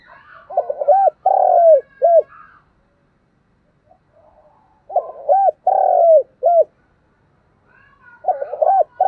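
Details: Spotted dove cooing in the thúc gù style with a giọng đồng voice. Three-part phrases repeat about every four seconds: soft broken opening notes, a drawn-out rolling coo falling at the end, then a brief final hoot. The surroundings are still.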